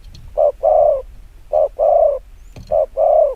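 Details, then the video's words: Spotted dove giving rapid 'gù kích bổi' coos: three clear pairs of a short note followed by a longer, slightly falling mellow coo, about a second apart. There is a single faint click. "Tiếng chim quân tử chiêu gù kích bổi cực nhanh"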